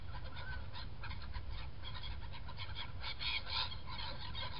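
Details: A feeding flock of Black-headed gulls in flight on 21 January 2017 keeps up a stream of short, raucous, overlapping cries, with a louder shrill squeal near the end, all over heavy wind rumble.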